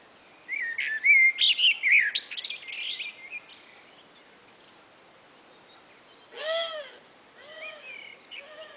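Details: Two common blackbirds calling back and forth on a spring afternoon: a burst of varied chirps and twittering notes, a quiet pause, then lower, arched calls with rich overtones.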